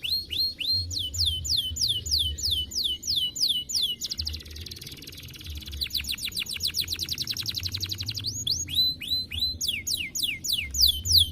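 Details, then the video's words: Canary in 'semelet' song, often said to set other canaries answering: long chains of quick upward-curving whistles, about three per second, broken by a dense buzzy trill and a rapid rattling series; faint low hum. "Best Canary Singing! Kenari Manapun Langsung Nyaut Dengar Kenari Warna Bond Suara Semelet!!!"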